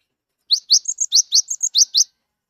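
A Cinereous tit sings a quick run of about ten high, clear notes in under two seconds: rising chips alternating with thin, steady whistles. Nothing else is heard.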